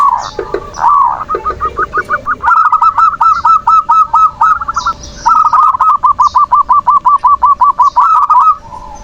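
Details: A perkutut, or zebra dove, singing manggung to provoke rivals and wake quiet birds into song. Opens with a few lower coos, then long rapid series of short bubbling notes, near three per second, with thin high chirps from other birds.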